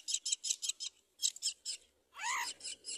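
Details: Common myna mother feeding her chick rice: rapid series of harsh, high raspy chirps in short bursts, then a loud rising-falling squawk with stacked harmonics and further rasping notes.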